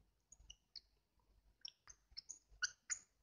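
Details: A pet European goldfinch gives thin, high squeaks in quick, uneven bursts to get attention, a fledgling begging habit kept into adulthood because it was rewarded with food.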